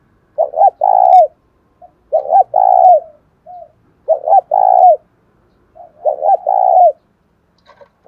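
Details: Spotted dove kept as a cage bird, đồng thổ voice: four steady low coo phrases, each a clipped double note then a sustained hoarse note, with brief quiet notes between phrases.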